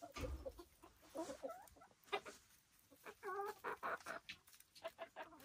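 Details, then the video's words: Silkie chickens kept on a Vermont homestead, soft murmuring clucks from several birds with a short run of quavering calls midway, scratchy rustling between them. "Relaxing Silkie Chicken Sounds"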